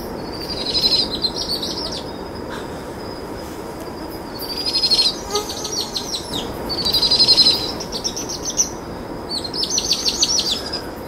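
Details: Two powerful owl chicks trill while their mother feeds them a brushtail possum after dusk, the calling ramping up; high rapid trills arrive in four bursts roughly every two to three seconds, with a faint steady hum beneath.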